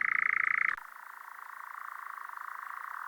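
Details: European Nightjar giving a dry, rapid mechanical churr. It starts loud for under a second, then drops abruptly and continues as a softer, steady, pulsing trill for the rest of the recording.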